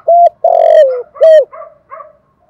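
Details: Dove used as a decoy bird, giving strong hollow coos: a short note, a long falling coo, then another firm coo, trailing into softer, fainter notes in a quiet background.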